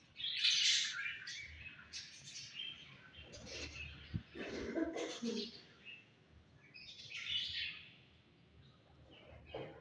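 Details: Budgerigars in breeding season giving sweet chirping: bursts of high scratchy warbles and chatter, fading in and out, with quieter gaps and a faint low rumble indoors.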